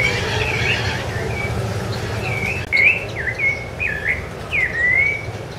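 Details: Sabiá-laranjeira, the rufous-bellied thrush, recorded on Ilha do Governador in January 2013, sings a string of fluty whistles, some swooping down and others sliding up, closing with a long drawn-out note; low rumbling background noise.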